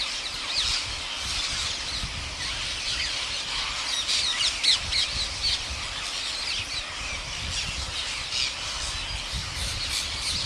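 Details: Wild parrot flock fed each day by an Indian farmer, shrill rasping squawks overlapping into a constant roar of calls, with louder individual shrieks standing out every few seconds.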